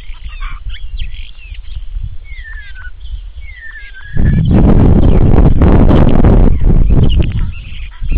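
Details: Starling imitating the songs of neighbouring birds: a series of clear whistled notes, several sliding downward, given over four seconds before loud rushing noise drowns out everything.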